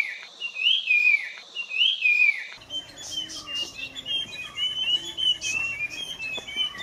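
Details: Puff-throated babbler from peninsular India giving two bright, downslurred whistled phrases, followed by softer twittering and chirps from other birds.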